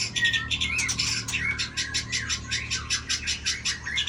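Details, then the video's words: White-rumped shama, 24 tail, in a singing duel against a rival: harsh, rapid chattering notes repeated about three times per second, broad and buzzy with some thin whistled slurs woven through, over low background rumble. "Murai Badheuk Ekor 24"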